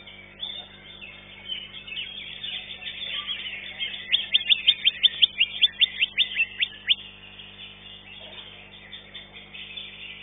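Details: Greater green leafbird competing in a caged-bird singing contest, placed second: shrill, jumbled warbling, then a run of about fifteen sharp, clipped chirps in quick succession, before the song loosens again.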